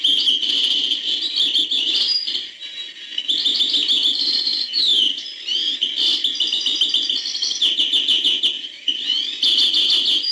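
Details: European goldfinch singing a hbal-style song: long bursts of rapid, bright twittering and liquid trills with buzzy slurred notes, broken by short pauses, loud and close, with a faint low rustle beneath.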